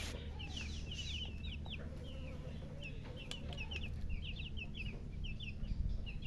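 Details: Young chickens cheeping in irregular clusters of quick, high, falling notes, with faint lower clucking sounds underneath and a constant low-pitched hum.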